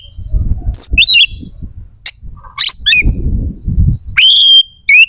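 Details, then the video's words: Oriental magpie-robin in vigorous song that provokes aggression and breeding drive in others: varied sharp chips, rising and falling whistles, and a long clear whistled note near the end, over steady low rumbling noise. "SUARA KACER GACOR🔴 AMPUH JEBOLKAN EMOSI DAN BIRAHI KACER"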